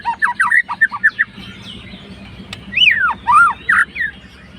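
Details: Fighter white-rumped shama song used to rouse a rival's emotions: a quick series of short looping whistled notes, a pause, then three louder arched, slurred whistles over a faint background hum.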